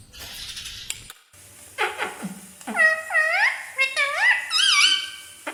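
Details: Indian green ringneck parakeet kept as a pet and speaking Hindi words: squeaky, bending syllables that swoop up and down, growing louder and more tonal toward the end, in a small indoor room.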